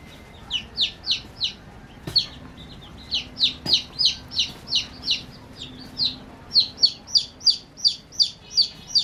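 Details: Baby chickens peeping while playing: a run of high, downward-slurred peeps repeated about three times a second, with short pauses between bursts and a couple of sharp knocks.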